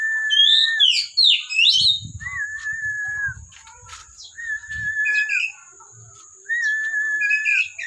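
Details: Kept Oriental magpie-robin from a bird collection singing actively: long steady whistled notes alternating with bursts of fast sweeping, twisting high notes, with a constant thin high whine behind it.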